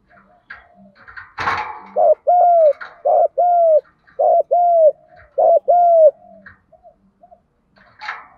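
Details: Spotted dove luring call to stimulate other doves: after a brief noise, three loud paired coos, each short note plus drawn-out hoot, then faint softer coos.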